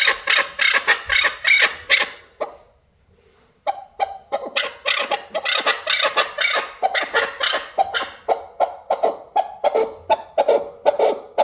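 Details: Harsh, clucking chukar partridge calls repeated rapidly, broken by a brief silent gap, then resuming as an insistent run of separate raspy chucks.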